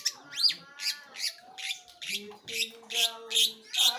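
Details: Long-tailed shrike singing actively: a rapid series of harsh, scratchy chattering bursts repeated about every 0.4 seconds, opening with a short rising-then-falling whistled sweep, over faint steady low tones in the background.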